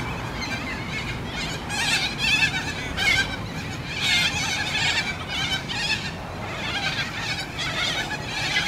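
Corellas give harsh, grating screeches in overlapping bursts, a noisy flock calling over steady background rumble.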